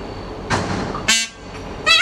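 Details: A male Indian peafowl at the summit of Mount Macedon, Macedon Regional Park, gives his loud mating call: three harsh, nasal honks in about two seconds, the last strongest, a brassy, horn-like blare.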